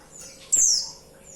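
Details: Female white-eye calling to the male: a single thin, high, sharply descending whistled note, bright at its start and fading quickly, over quiet background hiss.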